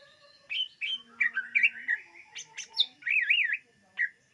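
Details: Song of a greater green leafbird (cucak ijo), used for luring birds, from 2022: whistled notes that slide into a sweet wavering warble, then a closing short note.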